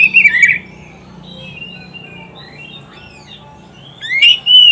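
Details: Oriental magpie-robin from a training recording for pet songbirds: a short, rich warbled burst, a long quiet stretch with faint thin whistles, then a loud rising-then-level whistled phrase.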